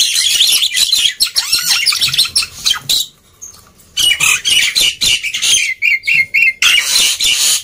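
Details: Loud, busy song of a black-winged myna for encouraging silent birds to sing: rasping squawks and chattering notes repeated rapidly, broken by a short quiet gap, then resuming with harsh stuttered phrases.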